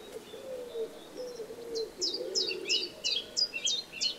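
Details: Eurasian tree sparrow chicks begging while being fed, giving rapid, high, thin chirps about three times a second, with soft low cooing from a dove underneath.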